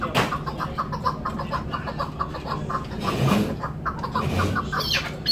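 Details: A chukar partridge (Alectoris chukar), a tethered calling bird, gives a run of rapid clucking chuk notes, about three per second, against a low background hum.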